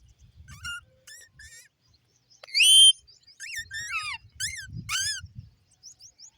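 A parrot gives a run of high, whistled chirps and rising-falling squeaky notes, with one loud shrill squawk in the middle and soft low background rumble.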